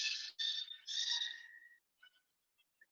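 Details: Gray gulls (Leucophaeus modestus) at a zoo penguin exhibit, which like to talk all the time, give three harsh, nasal calls in quick succession, the last drawing out into a level tone, then a few faint, brief chirps.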